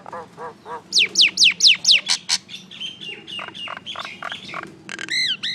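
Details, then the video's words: Common myna (Acridotheres tristis), a little myna, calling in a varied, chattering run: low croaks, five quick downslurred whistles, sharp clicks, then harsh mid-pitched notes ending in arched squeaks. "Little Mynah Bird making Noise"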